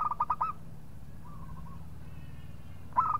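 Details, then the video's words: Singing local zebra dove goading a rival: a fast run of clipped, hollow coos opens and closes the moment, with a soft drawn-out cooing phrase drifting in between over a low background drone. "PERKUTUT LOKAL GAJOR JAGO MEMANCING LAWAN BUNYI"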